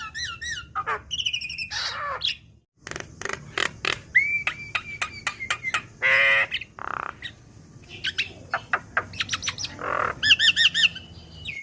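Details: Javan myna, young bird in captivity, recorded as a tutor track for training: varied mix of squeaky arched notes, sharp clicks, a long level whistle and grating chatter, with a brief pause near the start.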